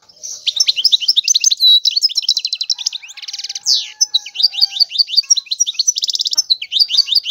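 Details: Continuous European goldfinch song, rapid liquid twitters and tinkling high notes with a harsh buzzy rattle in the middle, sung without pause.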